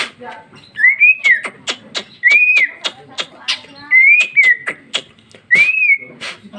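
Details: Female greater green leafbird (cucak ijo) singing in a loud, free-flowing style with rich fill, 2021: arched whistled notes rising and falling, about four times, mixed with sharp clicking chirps.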